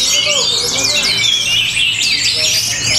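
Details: Orange-headed thrush in Tabanan, Bali, singing powerfully in a rhythmic style: sweeping, slurred high whistles and quick chattered notes woven together continuously, with a faint low hum behind.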